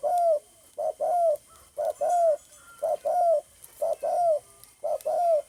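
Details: Spotted dove cooing, recorded 9 May 2020: paired notes, a clipped lead-in then a drawn-out descending coo, repeated steadily roughly every second; a quiet background hiss runs throughout.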